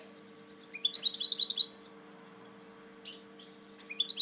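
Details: European goldfinch in captivity, a breeding bird with one wing drooping a little, sings a bright, rapid string of high, sweet chirps, pauses briefly, then adds a few scattered twittering notes.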